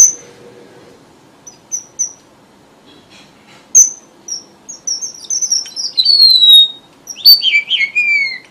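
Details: Red avadavat song used to lure birds for trapping: scattered soft high chips build into a lively twittering run of thin whistles with long downward slides, finishing in several falling whistled notes.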